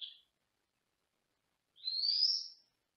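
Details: Senegal parrot in a small cage in another room, indoors: a brief high note, then a longer rising whistle climbing steadily over almost a second, with a quiet room between calls.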